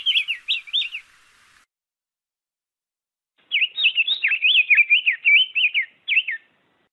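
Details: Diademed tanager singing: a short warbled phrase, almost two seconds of quiet, then a longer rapid sequence of twisting whistled notes, sweet and varied, ending in a single trailing note.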